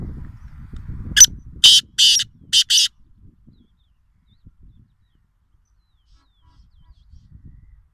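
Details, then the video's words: Black francolin, locally called kala teeter or black partridge, at a farm house in Nawabshah, Pakistan. Gives a single phrase of five harsh, raspy, grating notes over about two seconds, the first clipped and the rest longer, then quiet with faint low rumble. "Kala Teeter at Farm House | Black Francolin | Black Partridge | Nawabshah"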